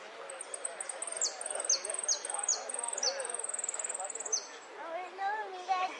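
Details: Sicalis flaveola song in the golpes, pitadas and prio style. Loud, repeated down-slurred whistles about every half second are woven with high trills. Softer, lower wavering chirps from other birds follow near the end.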